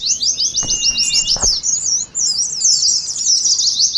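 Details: Oriental white-eyes in ngeriwik song for training: fast high trilled chatter with a faint held whistle early on, interrupted by a few soft knocks.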